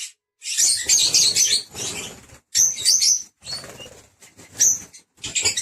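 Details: Lovebirds giving loud, shrill chirps and rasping squeals in overlapping bursts, with soft wing flapping and rustling underneath.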